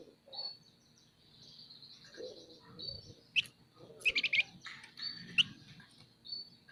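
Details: Captive scaly-breasted munia singing actively: drawn-out high thin whistles broken by quick clicking, rattling bursts, with faint low background hum.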